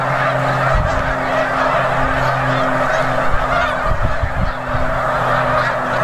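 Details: Thousands-strong chorus of snow geese at a Delaware wildlife refuge, Bombay Hook, December 2006, honking continuously in a dense babble, backed by a droning low hum and scattered thuds.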